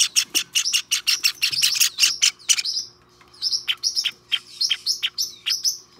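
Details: Hand-tame white Java sparrow chick begging on 23 May 2021: rapid high, thin cheeping chirps repeated several times a second, a brief pause near the middle, then more scattered squeaky cheeps.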